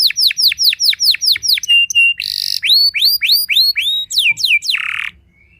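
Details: Canary song said to provoke rival canaries: a rapid string of down-slurred whistles, short level piping notes, a buzzy burst, then rising slurs, ending in a harsh rasp and a faint note.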